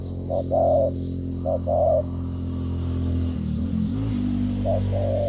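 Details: Spotted dove from Cà Mau, Vietnam, 'gù cà lăm' style: a few short-long coo pairs early and late, masked by loud droning engine-like hum in the middle.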